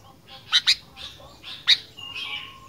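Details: Brief burst of fighter-style singing from a sooty-headed bulbul: two quick sharp chirps, a pause, one more bright note, then a drawn-out level whistle.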